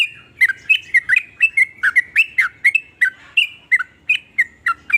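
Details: Varied sooty-headed bulbul song meant to prompt other bulbuls to sing; a lively chain of short liquid warbles, some sliding downward, repeated rapidly with brief gaps.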